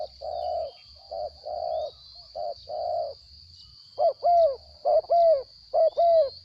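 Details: Spotted dove held captive after being taken from the wild: first a run of flat muffled coos, then louder arched two-part coos, a short note followed by a drawn-out one, against a steady high hum.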